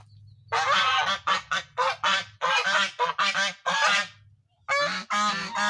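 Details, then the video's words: Geese honking in loud, nasal bursts, many short harsh calls in quick irregular runs with brief gaps between groups. "suara hewan angsa bernyanyi"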